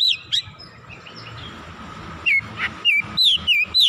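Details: Agitated oriental magpie-robin, heated up and unloading its repertoire. After a near-silent opening, it gives a run of loud, down-slurred whistles, each a short curling note, repeated roughly every third of a second.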